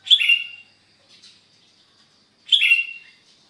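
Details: Sooty-headed bulbul (kutilang) at Sukanegeri, OKU Timur, singing gacor on a Sunday morning: two loud, liquid, slurred phrases about two and a half seconds apart, with soft chirps in the gap.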